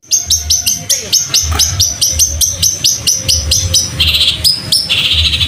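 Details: Long-tailed shrike training song for cage birds, in a sparrow-like fighting style with fast rolls: rapid, high, sharp chirps repeated about twice a second in a steady run, with a few broader buzzy notes near the end over a low background rumble.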